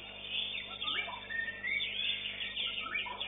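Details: White-rumped shama at a songbird contest, winning first in its class, pours out a rich, fast run of varied whistles, sharp rising and falling sweeps and chattering notes with hardly a pause.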